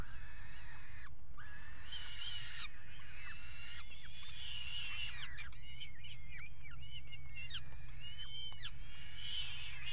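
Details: Peregrine falcons mating on the ledge of a nest box on the Axel water tower, Netherlands, 5 February 2018. Drawn-out, wavering whining calls repeat in a series and bend down at their ends, over heavy low wind rumble.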